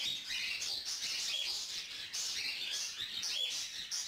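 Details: Hand-reared young female lutino cockatiel begging food from her adult male partner, who feeds her; dense, rasping chatter repeated in rapid surges, with brief clear whistles cutting through.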